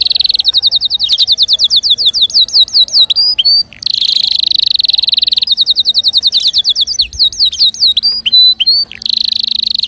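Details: Canary song to encourage other birds to sing, loud and continuous: long runs of rapidly repeated whistled notes with rising sweeps and dense buzzy trills alternating throughout.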